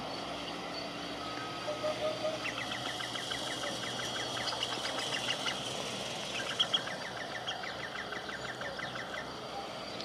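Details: Iberian green woodpecker (Picus sharpei), endemic to the Iberian Peninsula, gives a fast run of short, laughing notes over several seconds, partly masked by a steady hiss of wind or distant traffic.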